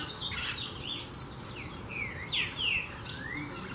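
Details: Saffron finches gathered in numbers at a farm where feed was scattered: thin whistled notes, some sharply falling and others gently rising, spaced out over a faint steady background hum.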